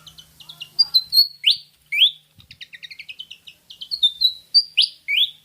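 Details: Pied fantail, Rhipidura javanica, used to lure birds into singing: tumbling twittered phrases alternating with loud rising whistled slurs, repeated in several sequences, with a faint low hum early on.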